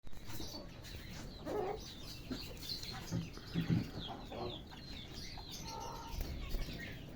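Budgerigars chattering together in quick, scratchy warbles and chirps, with bursts of wing flapping and low rumbling in the background.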